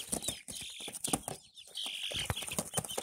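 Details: Young Barred Plymouth Rock chicks, five in the group, give thin, high cheeps partly masked by bursts of fluttering and scratching noise; a few longer, level peeps stand out toward the end.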